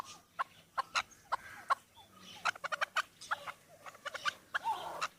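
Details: Chukar partridge raised indoors, play-fighting with human hands, utters quick clipped clucks, first spaced, then in a rapid cluster of about six, then spaced again.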